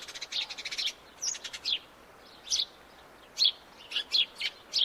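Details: A house sparrow opens with a fast buzzy rattle, then gives irregular single chirps, some sharp and high, spaced across the remaining seconds over mild background noise.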